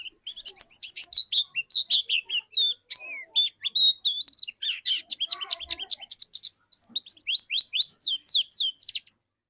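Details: White-eye used to trigger another white-eye's song delivers a long, fast, varied warble of high whistles, chattering notes and sharp down-slurs, almost continuous for about nine seconds.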